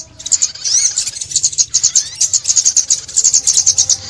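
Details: Shrill, fast sunbird twittering recorded in Vietnam in 2021 for trapping, a steady stream of quick pulsed notes with some looping slurs early on.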